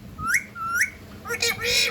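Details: Talking ringneck parakeet at home gives two quick rising whistles, then a scratchy, broadband squawk-like phrase with a faint low tone.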